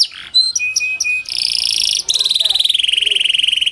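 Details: Kenari panda (a canary) lure song used to make lazy canaries sing; clear whistled notes followed by long, rolling buzzy trills at high pitch.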